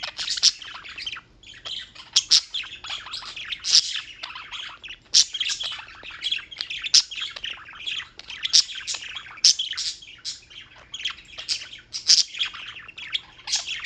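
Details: Continuous bird chirping from New York, United States: a long, dense wash of high overlapping chirps and twitters, with louder sharp notes popping out every second or so.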